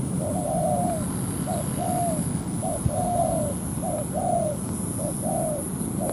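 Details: ['A decoy spotted dove on the ground calls during a trapping session aimed at a wild rival. Short-long coo pairs repeat roughly once a second in an uneven rhythm, over low rumbling, a single sharp click, and a constant high whine.']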